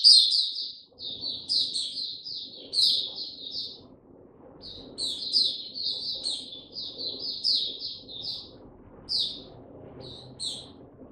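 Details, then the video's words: Oriental white-eye song dated 2 May 2022, opening slowly: clusters of high, sharp twittered notes with short gaps between groups, softer toward the end, above a steady low murmur of background noise. "Mata Puteh Hercules buka sing go slow n easy"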